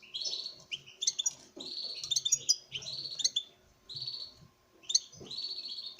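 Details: Male European goldfinch from a breeding setup singing to a female, with rapid chattering phrases of buzzy trills and sharp metallic chips, broken by short pauses.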